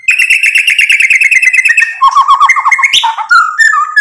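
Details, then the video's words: A white-rumped shama used as a lure to trigger other birds to sing back. It opens with a fast, even trill, then shifts into lower bubbling warbles and clear sliding whistles. "MURAI BATU GACOR bikin EMOSI ampuh buat PANCINGAN biar NYAUT BUNYI"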